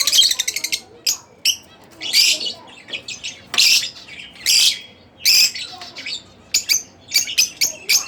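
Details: Split Blue Fischer's lovebird as a pet bird, chirping: a fast opening rattle of high pulses, then harsh screechy bursts and clipped sharp chirps spaced about half a second to a second apart.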